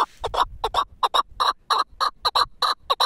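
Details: Four-year-old caged Pamir chukar partridge kept as a hunting bird, calling in quick paired clucks, chuk-chuk, repeated steadily about every third of a second. The clucks are sharp and dry.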